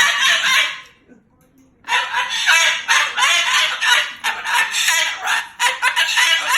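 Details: Angry pet Moluccan cockatoo cursing at its owner: loud, grating, voice-like phrases, a brief silence near the first second, then a long unbroken stream of rough syllables.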